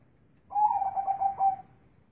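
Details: Zebra dove noted for its large, bassy voice gives one warbling coo phrase, four or five quick throbbing pulses on one pitch ending in a smooth trailing tone, in quiet surroundings.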